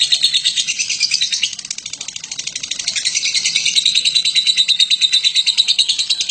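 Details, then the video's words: Lovebird called Batman giving a long ngekek chatter, used as a master recording for training other birds; a continuous rapid stream of harsh, buzzy high chirps, about three per second, dipping softer midway then building steadily again. "Burung Lovebird BATMAN ngekek PANJANG cocok untuk MASTERAN"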